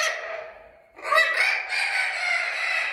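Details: Young captive-bred Spix's macaws, three to six months old, from the 2020 breeding season in a breeding-centre nursery, give harsh, grating squawks: one fading call, then a loud, rasping run lasting about two seconds, several birds calling at once.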